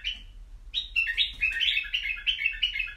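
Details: White-eared bulbul in a cage singing loudly: a brief note, then a continuous stream of fast, bubbling, slurred warbles that keeps going to the end.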